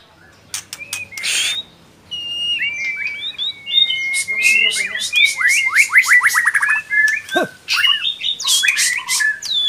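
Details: White-rumped shama entered in an online bird singing contest: loud, varied song of clear whistles and sharp upslurred notes, a fast run of repeated chips in the middle, one low descending swoop, with short pauses between phrases.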